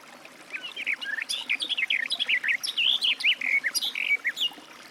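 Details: Garden warbler (Sylvia borin) delivering a sustained, rambling warble of quick, slurred, rising and falling notes over faint background hiss.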